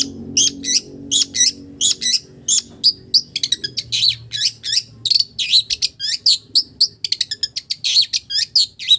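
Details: A long-tailed shrike pours out a lively imitation of village birds: a fast chain of buzzy, slurred high notes and chattering bursts, nearly continuous for nine seconds, with a low hum fading early on.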